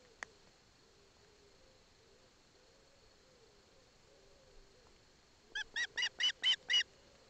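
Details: Osprey chick in Poland's Barlinek Forest, taking fish from its father while its mother stands by: after quiet, a burst of six harmonic, slightly buzzy calls in quick, fairly regular succession, about two per second. Faint low hum throughout.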